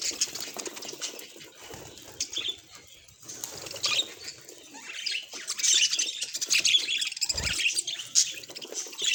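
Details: Pet budgie chatter, softer at first, then growing louder and denser in the second half, with scratchy high warbles, a few clear chirps and some soft fluttering or patter.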